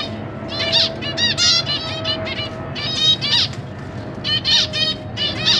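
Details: Zebra finch parents with juveniles and new chicks in a large cage, September 2023; chattering run of nasal, bent honking notes from several birds, a faint steady tone humming beneath.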